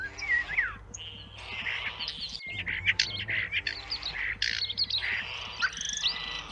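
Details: European starling chicks at a home nest, being fed by adults, beg with dense, harsh, wheezy chatter broken by sharp chirps and a few slurred whistles. A soft, steady low ticking sits underneath.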